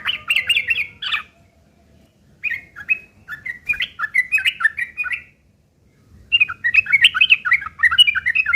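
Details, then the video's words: ['Yellow-vented bulbul rough fighting chatter used as a lure: dense opening burst, a pause, then a loose series of warbled notes and a fast, crowded chattering finish.'] "trucukan gacor TARUNG ngeriwik kasar pancingan trucukan agar bunyi jadikan burung trucuk gacor NYAUT"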